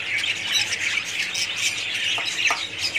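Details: Budgerigars calling together in a colony: a dense, continuous wall of high chirping, squawking and warbling notes from many birds at once, with no pauses, a few sharper clicks standing out near the end.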